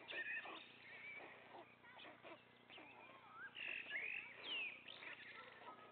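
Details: White stork chicks, three remaining young in the nest, while the father feeds them: overlapping squeaky, mewing calls that rise and fall, with sharper upward whistled slurs near the end, over a steady low hum.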